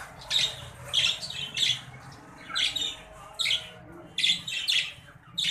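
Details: Green budgerigars, a caged breeding pair, giving sharp, scratchy squawks and chirps in short bursts, several per second at times, with pauses between bursts and a low steady hum behind them.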